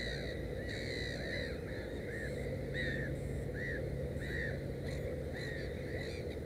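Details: Black-headed gull at a nest holding three chicks: a series of harsh, arched, nasal calls repeated about every half second, rising and falling in pitch, over constant low background rumble.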